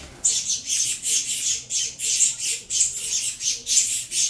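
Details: Captive saffron finch chicks from a Venezuela CMA x CVK 103 cross beg while being fed, giving harsh, hissing high-pitched rasps in bursts roughly twice a second.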